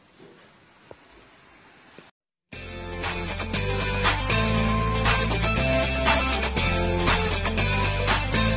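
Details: Two seconds of quiet background hiss, a brief silence, then loud guitar-led music with a steady beat and sharp percussive hits about every second until the end.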